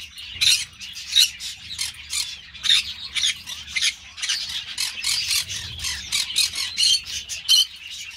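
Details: Continuous harsh, raspy squawking from a Green-cheeked parakeet (Pyrrhura molinae), dense loud bursts roughly every half second for the whole stretch.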